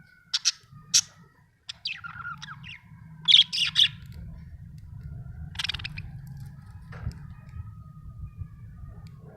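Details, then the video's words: Happy budgerigar chirping: scattered sharp high chirps and short squeaky notes in the first four seconds, then a quieter stretch with a steady low hum underneath. "happy budgie chirping sound"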